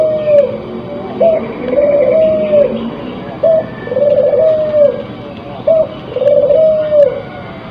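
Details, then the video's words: Three repeated coo phrases from a crossbred spotted dove in breeding condition, each about two seconds apart: a short high note, then a long, slightly wavering coo that sinks at the end. Soft hum underneath. "Suara Burung Puter yang Memukau"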